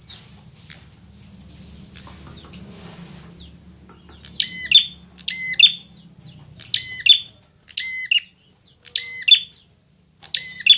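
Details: Fighting prinia, a recording meant to tutor kept birds into singing: after quiet opening seconds with soft chirps, a run of sharp, buzzy double notes repeats roughly every second.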